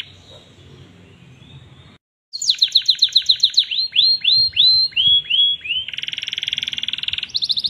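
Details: Canary song used as a tutor recording: a faint buzzy phrase, a short pause, then a fast run of high sliding notes that slows into clear downslurred whistles and ends in a dense buzzy trill.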